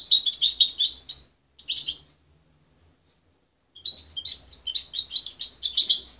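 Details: A young goldfinch hybrid, raised by its mother rather than hand-reared and separated at 23 days, sings rapid, bright twittering phrases of high tinkling notes. It breaks off briefly, then resumes a longer chattering run; its song is still muddled but promising.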